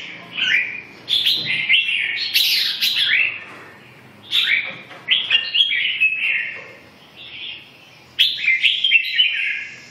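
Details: A Red-whiskered bulbul delivers lively warbled song in bursts of quick, slurred notes, some rising sharply. Three phrase groups come in about ten seconds, separated by brief silences.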